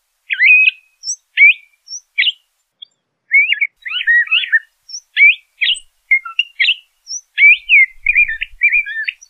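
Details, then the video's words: LeConte's thrasher singing a steady series of short, varied phrases. It mixes chirps, slurred whistles and scratchy notes with brief gaps between them, with a few thin high notes above. The background is otherwise quiet. "LeConte's Thrasher Bird Singing, Calling, Chirping - Cuitlacoche Pálido Canto"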